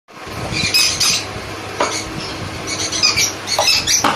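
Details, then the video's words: Sun conure chicks being hand-fed give rapid, high, scratchy begging squeaks in short bursts, with clinking and stirring feeding sounds in the background. "Sun Conure Handfeeding chicks"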